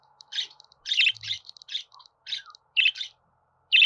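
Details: Budgerigar calls as a run of harsh, buzzy chirps that come close together, some in pairs, over a faint constant hum.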